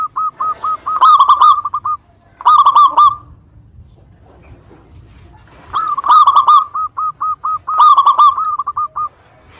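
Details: Local zebra dove in active song, used as a lure to draw answers from rivals: two bursts of rapid clipped coos, a quiet gap of about three seconds, then longer runs of evenly repeated notes.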